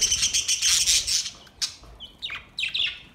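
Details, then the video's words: Budgerigars singing: a dense burst of high, scratchy chirps and warbles that fades, then short rising squeaks and chirps in separate bursts. "Beautiful budgies relaxing song beautiful sinning and sound"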